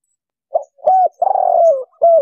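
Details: Spotted dove coo played as a trapping lure for wild doves: a short soft note, a rising coo, then a long, slightly falling, breathy coo and the start of another, clear and close.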